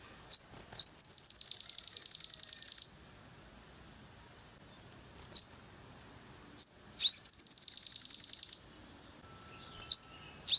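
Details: Long-tailed shrike lure calls used to provoke and excite a caged shrike into singing: harsh, rapid chattering trains of about two seconds, broken by sharp single notes and short pauses, high-pitched, quiet background.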